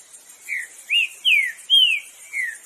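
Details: Wild, free-living green-winged saltator giving its song: five slurred whistles, each falling in pitch, the middle three strongest and the first and last softer, in a steady unhurried series.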